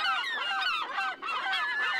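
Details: Male herring gull defending his territory and chicks against a neighbouring great black-backed gull, joining his mate's alarm, gives harsh, nasal kek-kek notes and drawn-out mewing cries in a continuous run, broken by one brief pause.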